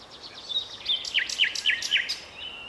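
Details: Nightingale song from a city park in Strzelce Opolskie, Poland, May 2012: a quick series of five downslurred whistled notes interleaved with high buzzy rattles, then a thin sustained whistle, background birds faint.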